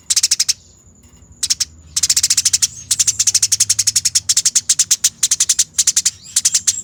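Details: Eurasian tree sparrow during a fight, a bird-training master: almost unbroken rolling chatter of fast, dense, harsh clicks, pausing only briefly, with a faint steady high whine.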